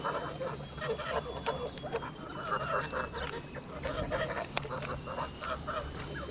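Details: Pure white male Kholmogory goose, 2 months and 26 days old, on a farm, honking repeatedly in nasal, quacking bursts across the whole stretch, with a high steady whine and one sharp click.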